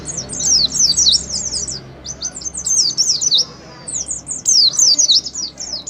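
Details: Ngalas-style song of an oriental white-eye, played to coax pet white-eyes into singing: quick, very high chattering notes in fast bursts with brief gaps, restless and jerky throughout.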